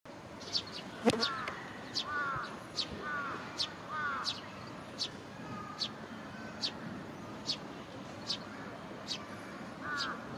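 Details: Juvenile Eurasian Tree Sparrow begging for food as it follows a parent foraging by a roadside in Japan, sunny afternoon around 16:50, early July 2022: short high sharp chirps repeated about every three quarters of a second, with a few lower arched calls and traffic hiss.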